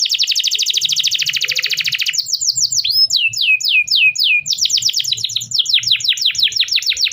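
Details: Canary in long sustained song, used to stimulate young canaries and those that fell silent; a rapid buzzy trill runs two seconds, then slow looping downward notes, then quick bright chirps repeated.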